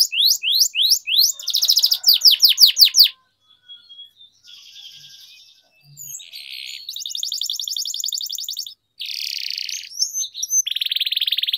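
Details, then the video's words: Canary training song: a series of loud descending whistled sweeps, a pause, then several buzzy rattling trills and hissing bursts separated by brief gaps. "Canary Singing Training, Kenari Gacor Ngerol Panjang,Terapi Kenari Macet, Masteran Kenari Paud"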